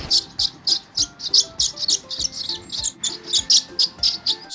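Swallow twittering in quick, high, scratchy chirps, about three or four a second, over a faint musical hum in the background.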